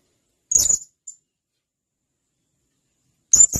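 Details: Blue-crowned hanging parrot, a male calling to companions, gives a single harsh, high-pitched call and a tiny note, then a second sharp call about three seconds later. A quiet training recording for songbirds.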